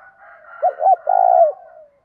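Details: A spotted dove used as a decoy to incite fighting gives a two-note hoot then a long rolling coo that trails off, over a faint steady higher tone in the background.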